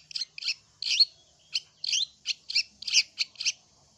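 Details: A long-tailed shrike gives short, scratchy high notes in quick irregular bursts, about ten in four seconds, as a lure to draw replies from other shrikes.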